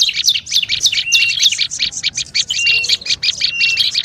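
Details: Olive-backed tailorbird chattering used to lure birds: quick sharp chirps in tight bursts with a few short steady whistled notes, continuous through the whole stretch.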